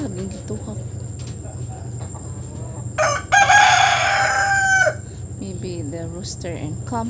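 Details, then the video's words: A rooster up on a roof gives one loud, harsh crow lasting nearly two seconds, preceded and followed by soft, short, wavering clucks and calls against a steady low background hum. "Singing Rooster"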